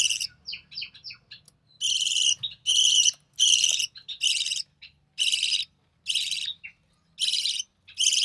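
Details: Young recessive pied budgie, born June 2020, fed by its mother in the nest: quick twittering notes open, then a run of loud hoarse, wheezy bursts repeating about every second with short gaps of silence.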